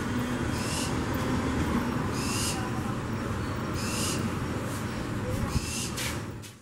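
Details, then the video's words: A barn owl in the urban centre of Puerto Gaitán, Meta, Colombia, recorded 27 March 2017, gives harsh, hissing screeches. There are about five in six seconds at an uneven pace, over a steady low rumble. "Tyto alba (Barn owl - Lechuza de campanario) - Vocalización-"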